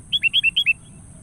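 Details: A lure call of the Sooty-headed bulbul, said to be calling a rival: six quick, clear chirps delivered in three rising-falling pairs within under a second, bright and liquid, then silence.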